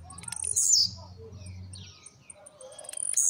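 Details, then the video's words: Blue-black grassquit at home, the newest bird, coming out of moult, sings trincadeira quickly: ticks quicken into an intense high buzzy jump-and-fall near the start, then scattered soft notes and another song beginning at the end. "Apresentando mais novo tiziu d casa,trincadeira e velocidade"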